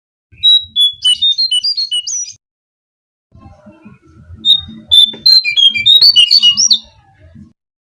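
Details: Brown-cheeked fulvetta song used as a lure to attract birds: two bursts of clear whistled notes, steady at first, then stepping up and down quickly and rising at the end, with a long pause between phrases.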